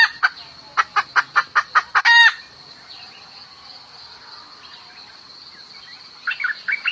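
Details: A hen calls the rooster: about eight evenly spaced, sharp clucks, roughly four per second, ending in a loud rasping squawk. Quiet follows until a few clucks return, with a steady high hum throughout.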